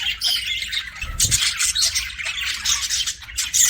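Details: Several pet budgies chattering with harsh squawks and warbled chirps, steady and dense, with a short low knock around the first second.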